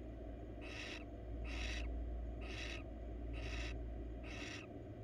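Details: Female barn owl, wild, at a research nest box, looking for attention: five raspy, breathy hisses spaced roughly a second apart against a constant low hum.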